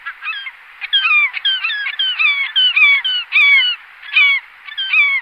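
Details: Glaucous gull calling: loud, harsh, down-slurred yelps in quick uneven series, several notes run together then brief pauses.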